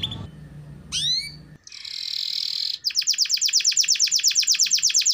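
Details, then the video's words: Vigorous canary song used as therapy for canaries that rarely sing: a sharp falling whistle, then a harsh buzzy rasp, then a fast even trill of repeated bright notes, about eight per second, continuing to the end. "Pancingan Suara Burung Kenari Gacor || Cocok Untuk Terapi Kenari Malas Bunyi"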